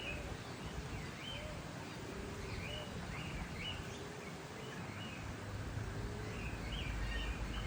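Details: Eastern rosella in urban forest gives short, rising piping whistles, several a second, over a steady low traffic-like rumble with fainter, lower bird notes.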